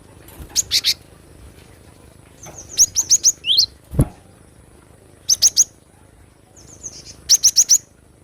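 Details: Java sparrow recorded in the wild: short groups of three to five piercing high chips, once ending in a quick rising whistle, with a low thud between phrases.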